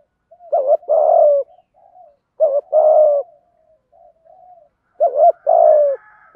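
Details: Spotted doves, male and female, cooing to lure wild birds: three clean phrases about two seconds apart, each two short clipped notes then a longer mellow falling coo, with soft low murmurs between. No other sounds.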